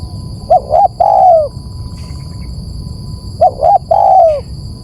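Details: Two cooing phrases about three seconds apart, used as a bird lure; each opens with two short low coos and ends in a sustained, slowly descending note, over a constant high electronic hum.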